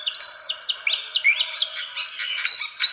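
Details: Squeaky fantail notes from a lure recording: thin high whistles and short upslurred chirps at first, building to a thicker, buzzier chatter toward the end.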